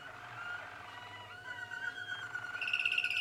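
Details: Young Waterslager canaries, Malinois type, 2016: liquid gurgling tours shifting into a rapid, higher, continuous bubbling trill toward the end.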